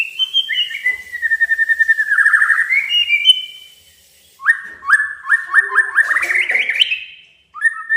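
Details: Male white-rumped shama song to challenge a rival: fast repeated buzzy notes descending then rising, a pause, then a stepped series of rasping notes climbing in pitch, and a final short whistle.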